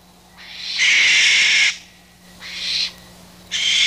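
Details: An owl gives harsh, high, breathy hissing screeches, one long rasping burst of nearly a second then two shorter ones, with no low hooting; the clip is one of several owl calls played for comparison.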